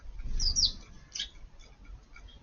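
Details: Eurasian tree sparrows feeding at midday in a garden on 20 June as light rain begins: a bright, high chirp, then a sharper chirp and a few faint ones, over a low steady patter of rain.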